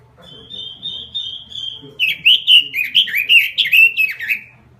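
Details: Robin lure call: opens with a sustained, slightly wavering high whistle lasting two seconds, then breaks into fast tumbling warbles and chirps, a low hum faint in the background.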